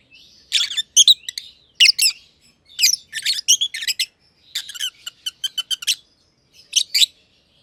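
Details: Two lovebirds, a green personata and a green pied personata, kept together in an aviary, chirping: loud, harsh, high chirps in quick bursts and clusters, with short pauses between bouts.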